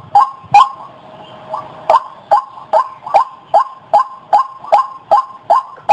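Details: A White-breasted waterhen gives loud, rasping kru-ak notes. Two come early, then a short pause, then a regular series at roughly two and a half per second.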